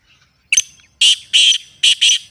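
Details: Black francolin calling in a clean natural recording meant to excite caged birds: a brief sharp note, then two doubled, buzzy, strident notes in quick succession.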